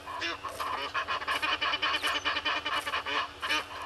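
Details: Foraging red-billed hornbill beside Gowrie dam in the Sabi Sand, South Africa, morning of 25 July 2021; rapid, even series of harsh clucking notes, about two to three per second, over a low hum.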